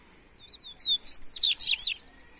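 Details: Double-collared seedeater (coleiro) singing, a warm-up song for kept birds: a thin rising whistle leads into a dense, fast tumble of high twittering, slurred notes lasting about a second, over a quiet background.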